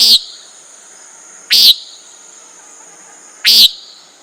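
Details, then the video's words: Common nighthawk giving three loud, harsh, buzzy nasal notes, each brief and spaced roughly two seconds apart, over a faint steady high hum. "Common Nighthawk Sound, Bird Call"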